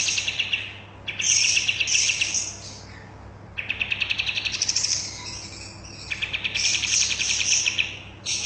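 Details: Lively bulbul song for training caged birds: chattering, bubbly phrases alternating with fast trilled runs of bright, high notes, repeated over several seconds with short pauses.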